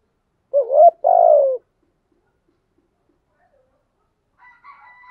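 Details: Decoy spotted dove cooing steadily to lure wild doves during the rainy, stormy season: one low two-part coo, a short dipping note then a longer steady croon, followed by silence and faint higher chirps near the end.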